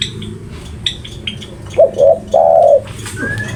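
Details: Spotted dove, noted as a very vocal singer, gives one phrase: two quick soft coos followed by a longer, wavering, drawn-out coo. Thin high chirps of other small birds are heard around it.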